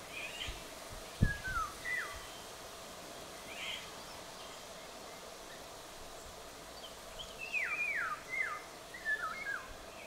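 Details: In western Poland, several Eurasian golden orioles give rich, fluting whistled phrases that slur downward, in short bursts a few seconds apart, with a single knock and steady background hum.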